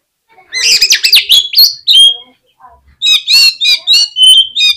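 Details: Oriental magpie-robin singing as a lure to provoke other magpie-robins into song: loud bursts of varied whistles and sharp chirps, a dense jumbled phrase, a pause, then rhythmic clear whistled notes repeating about every half second.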